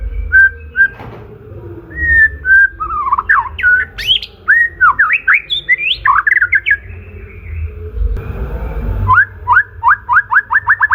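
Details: Murai batu, the white-rumped shama, in full varied song used to lure and provoke other birds and to train caged songbirds: rich, rapid jumble of whistles, sweeps and harsher notes, ending in a quick run of repeated short notes.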